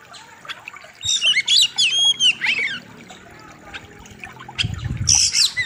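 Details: Oriental magpie-robin (kacer) in full song for a training master: a quick string of whistled slurs and buzzy notes, a quiet gap, then a harsh buzzy burst over low noise.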